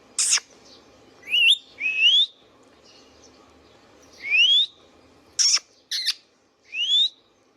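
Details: Pet Indian ringneck parakeet calling: clear rising whistles sweeping upward, mixed with short harsh broadband squawks, in irregular bursts over several seconds, with a faint steady hum behind.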